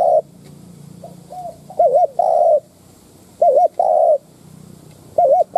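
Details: Spotted dove used as a lure bird, cooing to provoke wild doves: loud, hollow coos with quick wavering double notes, in short phrases separated by pauses of about a second or more; faint background hum.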